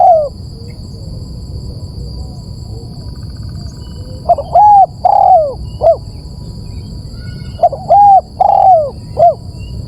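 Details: Bird lure call for attracting birds: groups of loud, hoarse arched notes repeated in two bursts separated by a pause, over a steady high electronic whine and faint hiss.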